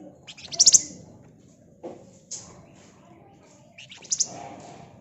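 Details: Flamboyan bird in busy, dense song meant to lure other birds into singing: a few sharp, high chattering bursts and thin notes with pauses between, over a low background murmur.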